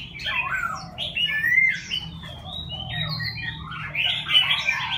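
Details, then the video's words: Six-month-old young Chinese francolin practicing its crow: harsh, squawky, uneven notes jumping between mid and high pitches, with overlapping chirps and a low steady hum underneath. "Chim đa đa con tập gáy lúc sáu tháng tuổi"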